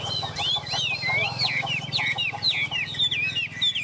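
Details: Chinese hwamei, tame and caged, gives a rapid sequence of swooping, looping whistles over a constant low buzzing hum.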